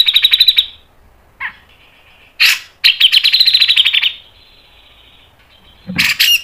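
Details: Grey-cheeked bulbul in a training and lure recording of speedy, tight song: quick high trills, a sharp single note, then a long rattling phrase and a closing burst.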